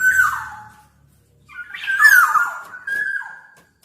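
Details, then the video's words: Black-naped oriole making a mellow whistled note, a pause, then a longer phrase that begins rough and settles into a steady whistle, with a final lower note. "Burung Kepodang Super Gacor"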